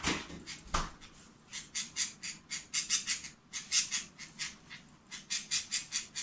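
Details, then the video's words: A female pet budgerigar makes a steady run of harsh, buzzy "bu-bu-bu" pulses, about three each second, with a single sharp knock near the start in a quiet room. "ブブブブブと鳴く インコ"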